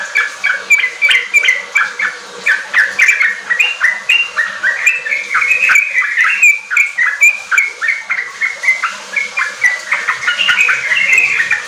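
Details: Lively yellow-vented bulbul song meant as a lure to make untrained kept bulbuls sing riwik and ropel: a long rapid stream of chirps and short whistled notes that keeps a fast, uneven beat.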